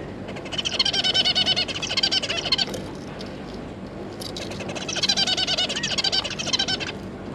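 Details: Zebra finch family of two adults and three juveniles, 9 June 2022: two long bursts of rapid, buzzy, stuttering notes, several per second, with a quieter gap between.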